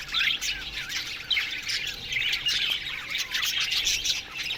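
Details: Australian budgerigars chirping in the morning in an aviary colony: a dense, continuous chatter of high, warbling chirps and squeaky notes from many birds overlapping, with no pauses.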